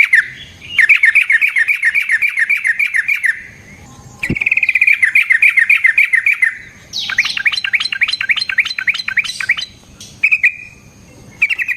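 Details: Sooty-headed bulbul, a long rapid rolling song used as a lure to provoke other bulbuls and as a master for training birds: bursts of fast buzzy trilled notes lasting about three seconds, separated by short pauses, with a brief sharp click between bursts.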